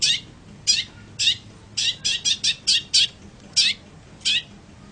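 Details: Long-tailed shrike recorded for training other birds, giving harsh, raspy high notes in an uneven run of about ten, some paired closely, with brief gaps between.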